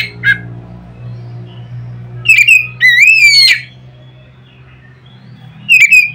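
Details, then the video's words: White-rumped shama singing loudly to provoke other shamas: a few scattered whistled notes and one long swooping slurred phrase, with long gaps and a constant low electrical hum in the background. "nada keras bikin burung Kacer lain ngeplong"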